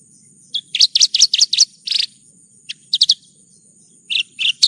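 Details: Branjangan (bush lark) song in a one-hour tutor recording: fast clusters of sharp high chirps, a short buzzy burst, then scattered single and paired notes, with a faint constant high tone behind.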